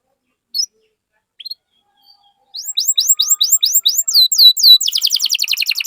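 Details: Canary song meant to prompt other canaries to sing: a few isolated chirps after quiet, then a steady row of sweeping notes ending in a rapid buzzy trill.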